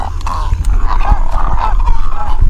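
Great Egret giving a low, harsh, rasping croak that wavers on for over two seconds, over a heavy low rumble.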